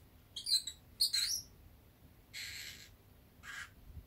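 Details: Pet Fischer's lovebird dozing indoors in warm sunny weather: two quick bursts of high chirping notes, then two softer, breathy buzzing calls, over a quiet room background.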